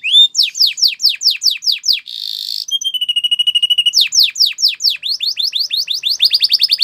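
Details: Spanish Timbrado canary song used to train canaries: quick descending whistled strokes, a short buzzy burst, a level rapid tremolo trill, then renewed falling notes ending in a fine fast trill.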